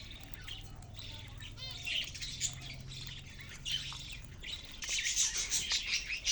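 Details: Budgerigars in a cage keep up a steady, fast warbling chatter of high chirps, growing louder and denser toward the end, with a faint low hum underneath.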